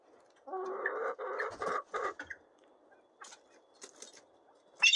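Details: Young captive Lady Amherst's pheasants of a 2024 hatch, about two and a half months old and still unsettled with a person nearby: a two-second run of buzzy, harmonic calls, then faint scattered clicks and one sharp closing note.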